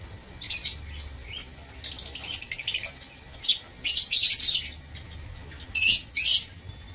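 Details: Lovebirds kept in an aviary, recorded 15 April 2024: bursts of shrill, high-pitched chattering and squeaky chirps in irregular clusters, several loud clipped squawks near the end, low background hum.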